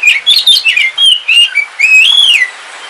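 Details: Oriental magpie-robin of the dark Kalimantan form, a caged home bird, singing on a rainy day: a fast run of clear whistled notes, some rising and some slurred downward, ending in a long arched whistle.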